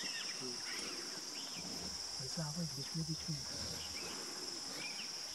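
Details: Green imperial pigeon in Gorumara National Park, Jalpaiguri district, West Bengal, India, in January 2018: a short burst of deep, rapid, hollow low notes in a quick series, over a steady high insect hiss with faint higher bird chirps.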